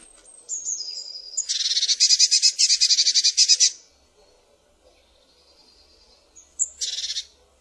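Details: Eurasian blue tit calling: a thin high descending note, then a loud buzzy churring burst of about fifteen rapid pulses lasting two seconds, a quiet gap, and a shorter churr near the end.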